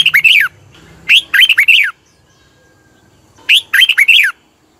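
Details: Song of the red-whiskered bulbul, Thailand, used for exciting caged birds: short cheerful phrases of four or five slurred rising and falling notes repeated about every two seconds.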